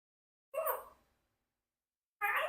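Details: A 4-year-old adopted Congo African grey parrot, living with a flock of other parrots, speaks two brief, breathy, word-like greeting phrases about 1.7 seconds apart, with quiet between them.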